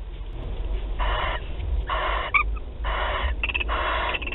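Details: Barn owls at a nest site in Théding, France, on 28 February 2021, at the start of their courtship; short breathy hissing bursts about half a second long, repeated roughly every second over low background rumble.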